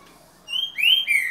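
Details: Green-winged saltator singing in the boca mole style: a brief clear whistled phrase of three slurred notes, the middle one rising then falling, the last dropping gently.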